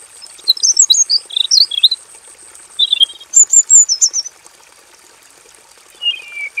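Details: A robin in a simple aviary cage sings actively with full variety, used as a training recording: quick, varied warbled phrases, high and bright, in three bursts with short pauses, over a faint steady high hiss.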